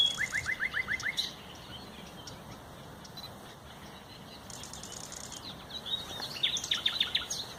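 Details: Common nightingale singing, recorded 30 April 2021: a fast series of about seven sharp descending notes, a pause, a buzzy high rattle, then a further run of rapid repeated chirps, with soft rustling background.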